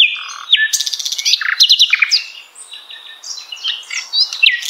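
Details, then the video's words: Song of the common nightingale, recommended for teaching contest birds such as the white-rumped shama: a low whistle, a fast rattling burst of repeated notes, then varied sharp upward and downward slurs. "MASTERAN SUARA BURUNG | Common nightingale Luscinia megarhynchos Pas untuk mengisi Murai Batu"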